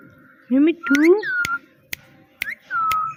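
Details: Talking parrot imitating "meow" and "Mitthu": two rising, hoarse voice-like syllables followed by a long falling whistle, with loud sharp clicks and a soft low room hum.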